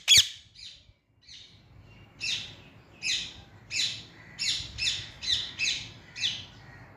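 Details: A green Indian ringneck gives a sharp opening squawk, then a series of harsh, raspy high chirps repeated about every half second, growing steadily in rhythm.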